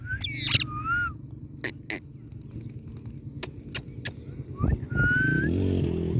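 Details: Blue ringneck (rose-ringed parakeet, Psittacula krameri) talking: short, clear, speech-like whistled phrases at the start and near the end, with a few sharp clicks between over a steady low hum.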